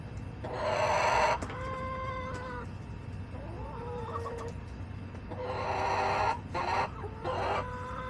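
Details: Backyard hens on July 18, 2024, calling in loud, nasal, drawn-out squawks of about a second each, interspersed with lower wavering clucks and a few short cut-off notes, low rumble behind.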